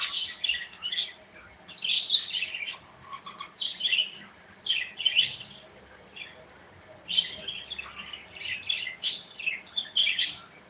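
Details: Budgerigars kept as pets in a cozy aviary chirp busily, with clusters of sharp, high twittering notes coming in bursts separated by brief quieter gaps.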